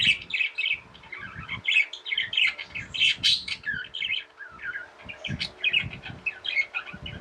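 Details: Tame pet budgerigars chirping: a dense, continuous warble of quick high twittering notes and short squeaky chirps, overlapping with barely a pause, with faint low thumps beneath.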